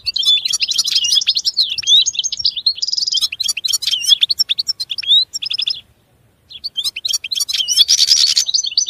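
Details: Extended European goldfinch song of rapid liquid twitters, interspersed with short buzzy trills, pausing once for about a second before resuming with more chattering phrases and a harsh rasping burst.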